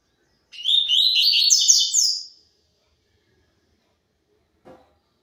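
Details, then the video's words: Double-collared seedeater singing the pure tui tui zel zel song style: one rapid, high phrase of about two seconds made of repeated bright chirped notes that climb slightly, followed by silence and a faint soft knock. "COLEIRO TUI TUI ZEL ZEL PURO"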